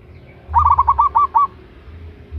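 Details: Loud local zebra dove, a female calling a male for use as a lure, gives six fast staccato cooing notes in one rolling phrase, with a steady low hum underneath.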